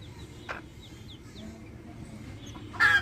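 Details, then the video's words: Backyard hens with chicks: soft high downslurred chick peeps early, a short click, then a loud harsh hen cluck at the end over low background hum. "Adorable backyard hens with chicks making adorable sounds!"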